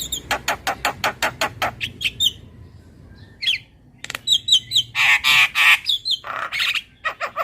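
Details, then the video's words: ['Javan myna, a training recording meant to make caged birds sing more: a fast series of harsh, evenly spaced chattering notes, then squeaky upslurred whistles and loud grating bursts.'] "Suara Jalak Kebo Terapi Biar Semakin GACOR"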